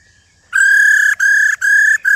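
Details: Female silver-eared laughingthrush, an old bird taken from the wild, starting a run of long, level, ringing whistles with short breaks between them. The calls are used to stimulate males.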